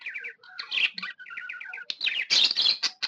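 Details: Cheerful pet budgerigar warble: little runs of fast, even whistled pips repeated several times, broken by rasping chirps, building into louder, grating chatter.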